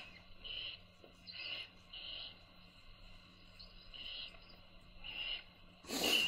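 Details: Young owls being fed by their mother make soft hissing rasps that come in separate bursts about a second apart, ending in one loud, harsh burst.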